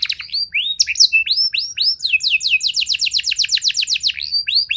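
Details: Canary song played to prompt other canaries to answer and sing long: a chain of bright, high, down-slurred whistles speeding into a fast rolling run of repeated notes, then a few slower sweeping phrases.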